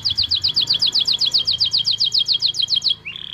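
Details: Canary singing in the cengkok mewah (luxurious variation) style: a rapid, even trill of high, sharply descending notes, about eight per second for three seconds, ending in a brief lower buzzy note.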